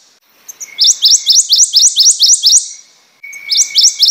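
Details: Prothonotary warbler singing a ringing series of about ten sharp upslurred notes, evenly spaced and high-pitched. A second phrase begins after a short pause.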